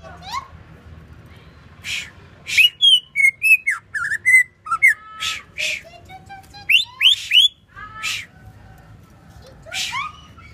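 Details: Song of a greater green leafbird from Banyuwangi: a lively, jumbled flow of bright whistles, rising and falling slurs and harsh chips delivered in quick bursts, pausing briefly before resuming. Low background hum.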